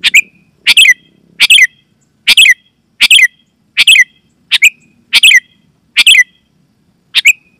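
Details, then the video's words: Sooty-headed bulbul giving a lure call for wild birds and caged bulbuls: about ten sharp chattering bursts, each two or three quick notes, repeated at a brisk, slightly uneven pace on a silent background. "Suara Burung KUTILANG GACOR"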